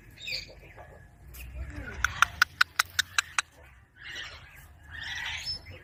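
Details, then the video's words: Ringneck parrot giving a quick burst of about seven sharp, harsh notes packed into under two seconds, with a low rumbling background and softer broadband noise before and after. "Parrot sound | Ringneck parrot"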